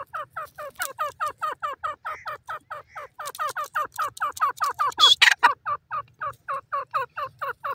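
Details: Grey francolin in a cage repeating soft clucking notes in a fast, steady series, with a single loud harsh outburst midway.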